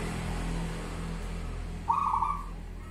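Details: Zebra dove of local wild stock singing in the bedah karang nabuh kentongan style: one short, mellow, rolling coo note near the end, heard over a steady low mechanical hum.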